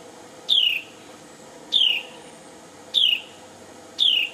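Carolina wren giving clear, high, downslurred whistled notes, each falling in pitch, repeated about every second over a faint steady background hum.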